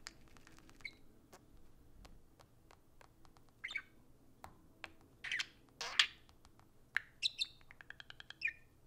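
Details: Two pet budgerigars socializing indoors: sparse quiet clicks and taps, then short bursts of scratchy chirps and warbled chatter with some harsh squawky notes, separated by pauses, in a small quiet room.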